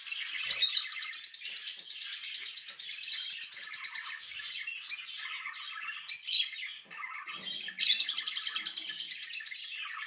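A lovebird gives shrill, rapid chirping in two long trills of about three seconds each, with a few sharp single notes between them.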